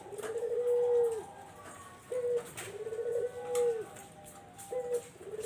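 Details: Barbary dove coos meant to draw in zebra doves: long, smooth, low rolling notes alternating with short clipped ones in a steady rhythm, with a faint higher tone in the background.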